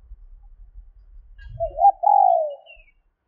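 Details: Spotted dove hen giving a call meant to excite males: one cooing phrase with a brief wobbling lead-in and a drawn-out, gently descending coo, preceded by soft low background rumble.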